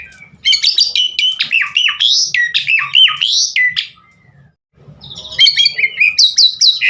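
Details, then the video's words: Javan pied starling song for luring birds to sing: a long rapid series of looping whistles swinging up and down, a short silent gap, then another fast burst of bright repeated notes. "Masteran Jalak Suren GACOR Bongkar Isian Buat Pancingan Burung Jalak Agar Cepat Gacor full Isian"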